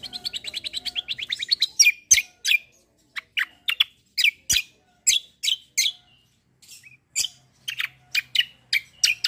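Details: Black-winged myna, called cucak kombo, in a sparring 'ngeroll' performance: a fast run of evenly repeated chips speeding up, then a long series of harsh, scratchy bursts at uneven gaps.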